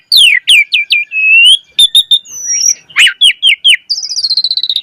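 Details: Asian pied starling singing hard with varied filler phrases to prompt other starlings to sing. Descending whistles lead into a sustained rising whistle, sharp clicks and chips, then a fast trilled rattle at the end.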